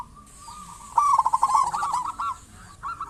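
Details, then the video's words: A local zebra dove, singing keenly, opens with a soft sustained coo, then bursts into a loud, rapidly pulsing trill of coos, followed by a quieter pause and a short final coo. "Perkutut lokal gacor cocok buat pancingan burung perkutut"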